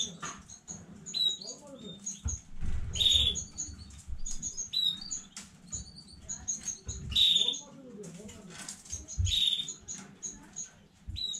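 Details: Domestic canary from a new breeding line, recorded 15 May 2019, giving short high chirps and brief whistled notes scattered through the clip, with low rustling and knocks in the background.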